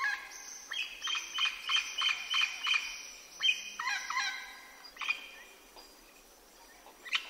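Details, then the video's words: Wild parrots in a South American jungle: a run of loud, harsh, squawking calls with stacked overtones, about three per second for two seconds, then scattered raspy squawks and a final sharp cry. "Parrot Sounds 🦜 Parrot Sounds in the Wild"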